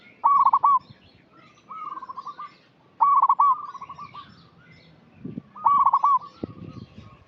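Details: Local zebra dove singing steadily as a lure for young, untrained doves: loud, quick, rolling coo phrases alternating with softer trailing coo runs, about four phrases in seven seconds, with a few low knocks.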